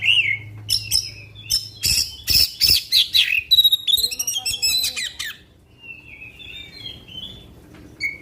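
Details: Magpie-robin singing a long 'tembakan' style song meant to rouse other magpie-robins: loud, varied bursts of sharp whistles, harsh buzzy notes and rapid chattering, easing into softer thin whistles.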